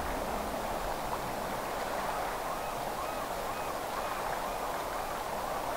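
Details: Even, broad rushing noise continues throughout, with no clear animal call.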